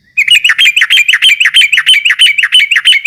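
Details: Yellow-vented bulbul (trucuk) in rapid ropel-style song, used to provoke rival birds: a fast, steady string of bright two-part whistled notes, about three per second, without pause and with a clean, quiet background.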